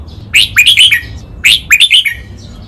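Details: Red-whiskered bulbul singing a master phrase used to train birds, double-2 "lak wai" style: two matching phrases of rising and falling slurred whistles, each about five bright liquid notes, with a low hum behind.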